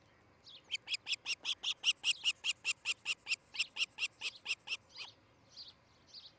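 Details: From a Montana osprey nest in Charlo, early on 13 July 2018, comes a long regular chain of high whistled chirps, about four per second, building in strength, then tapering off into a few softer notes.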